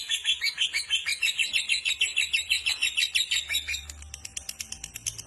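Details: Caged fighter lovebird giving a long ngekek chatter, a prized gacor song style; rapid, evenly repeated high buzzy chirps about three per second, shifting near the end into sharper, clicking notes.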